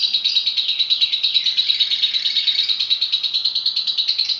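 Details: Lovebird singing vigorously, a steady rapid stream of high, raspy chirps and twitters pulsing about three times per second, unbroken throughout, in a quiet indoor setting.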